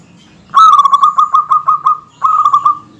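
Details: Local zebra dove singing a dense, eager song meant to provoke and tease rival males: a loud staccato cooing phrase of rapid pulsed notes, falling slightly, followed after a brief pause by a shorter pulsed phrase.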